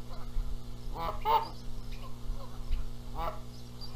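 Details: Canada goose at a nest at Rogers Place, Charlo, Montana, on April 14, 2022, geese disputing who sits on the eggs while the gander flies in calling; two or three harmonic honks with a steady low hum behind.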